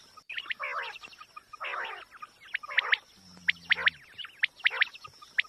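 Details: Repeated quail triplets, quick sharp whistled notes grouped in threes, rising out of a busy background of other chirping birds and faint noise; recording said to attract quail for hunting.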